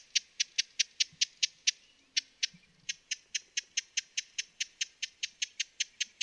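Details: Broad-billed hummingbird from western North America giving a steady series of short, dry, high-pitched ticking chips, about three per second, with one brief pause before the chips resume at the same pace.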